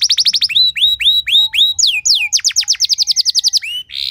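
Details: Canary song lesson with elaborate variations: rapid repeated downward chips, then slower rounded whistled slurs, an upward sweeping flourish and a fast chatter of descending notes ending in a short buzz.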